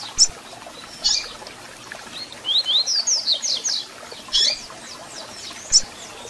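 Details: Double-collared seedeater with call notes and song, played to stir a caged bird: isolated sharp chips, then a quick series of high slurred whistles, followed by more chips.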